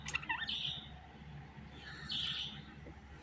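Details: Budgerigar giving two brief, rough chirps about one and a half seconds apart, with low rumbling noise in the background.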